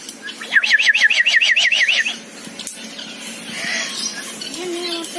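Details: Common hill myna; a rapid run of about ten ringing, upslurred notes lasting over a second, followed by softer squeaks and rustling noises.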